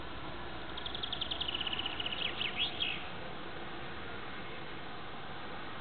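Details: A European greenfinch gives its spring mating song, heard from a stairwell window of an apartment block: a quick, high twittering trill that slows and ends in a few warbled, tumbling notes, over steady low background rumble.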